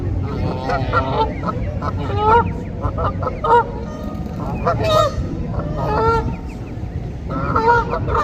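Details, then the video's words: Canada geese with goslings, swimming and feeding in water, honking loudly: repeated nasal, harmonic two-note honks in short clustered bursts every second or two, over a low background rumble. "Canada Geese honking"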